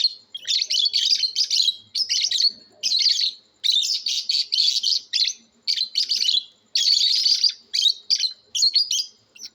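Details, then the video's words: Several lovebirds chatter in shrill, scratchy, fast, high-pitched bursts about a second long, with brief pauses between them and no other clear sounds. "love birds natural sounds competition"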